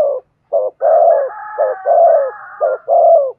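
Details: Spotted dove urging coos meant to stir wild birds, low hoarse notes in short-long pairs, overlaid by a second, higher droning coo running continuously through the middle.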